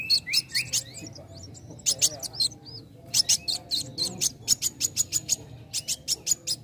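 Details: Young sunbird song for provoking others to sing: varied high chirps, upward-sliding whistles and fast ticking runs, rising into a steady series of sharp notes near the end.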